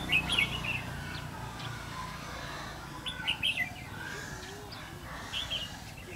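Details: Red-whiskered bulbul song recorded during a bulbul trapping session on 5 November 2016: short, bubbly warbled phrases repeated in bursts about every two to three seconds, over a steady low rumbling hum.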